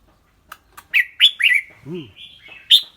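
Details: Caged red-whiskered bulbul singing clear, bright phrases: a run of loud rising-falling whistled notes followed by softer slurred warbles, with a low harmonic squawk mid-phrase.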